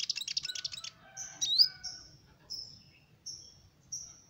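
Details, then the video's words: Sunbird singing, used to lure small birds: a quick high chattering burst, a rising squeaky whistle, then thin, level high whistled notes repeated every second or so. "Suara burung Kolibri Ninja"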